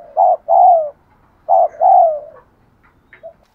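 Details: Urging coo of a spotted dove, used for training decoys: two paired phrases, each a short hollow note then a drawn-out, slightly falling coo, with a faint chirp after.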